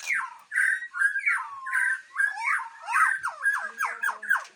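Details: A white-rumped shama of the Aceh type at a breeding farm delivers lower, mellow slurred notes, then a run of rhythmic down-swept notes repeated roughly twice a second.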